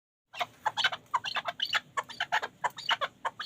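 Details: Chukar partridge from the Pamir, kept for hunting, giving a rapid string of harsh clucking chuk notes, some stacked and rising, packed closely for about three seconds after a brief silent start.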